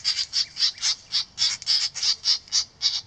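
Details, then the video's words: Nest-defending great reed warbler mobbing a 3D printed cuckoo decoy during an experiment, giving loud harsh rasping notes in a regular series of about eleven calls over three seconds. "Great reed warblers mobbing 3D cuckoo decoy"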